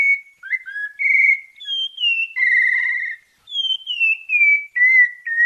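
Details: Melodious whistled song of a sabiá parda from Bahia in santa fé style, mixing low swoops, a trilled note and high descending slurs in one connected phrase.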